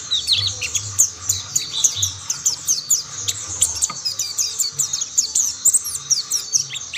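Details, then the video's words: Several mountain white-eyes singing together, other birds joining in; dense, fast high-pitched twittering of rapid downslurred and upslurred notes, nearly unbroken for seven seconds, with faint low rumble beneath. "Tidak butuh waktu lama pleci Monty lain pasti ikut bunyi"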